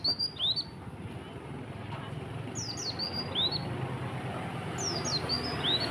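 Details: Oriental white-eye in the morning giving tembakan konin style song: repeated bursts of thin, high, sweeping chirps about every two seconds above a low, rumbling background.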